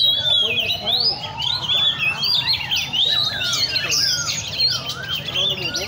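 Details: Several caged Oriental magpie-robins (chích chòe than) sing together at a bird cafe in Le Thi Rieng park: dense overlapping whistled phrases, sweeping up and down in quick succession, with faint human voices beneath.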